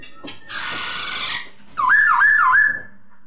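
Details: Masked laughingthrush (poksay hongkong): a broad hissing rasp lasting about a second, a short gap, then a clear whistle that swoops up and down three times in a smooth wavy line.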